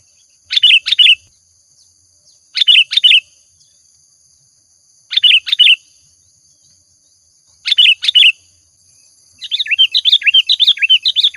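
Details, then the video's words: Lure recording of a sooty-headed bulbul singing often: four brief doubled bursts of bright, warbling chirps spaced roughly two and a half seconds apart, ending in a faster run of bouncy notes, with a thin constant high tone behind. "Suara Pancingan Burung Kutilang Gacor"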